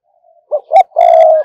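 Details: Decoy spotted dove luring wild birds with an urgent coo: a faint murmur, two short emphatic notes, then a strong, level, sustained coo with ringing upper tones.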